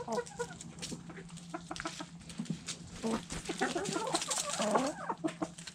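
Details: Chickens in a backyard eating food scraps, with soft clucks early on and a cluster of busier, overlapping clucks and murmurs in the second half, over a faint background hum.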